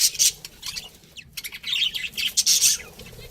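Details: Pet budgerigars, a breeding pair, chirping: scattered bright high chirps and chatter in short bursts, loudest near the start and end, with quieter gaps between.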